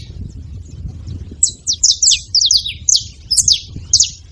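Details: Saffron finch at a feeding site; after a quiet start, a run of bright, sharp high chirps and short slurred notes, irregularly spaced, over a low murmur of background noise.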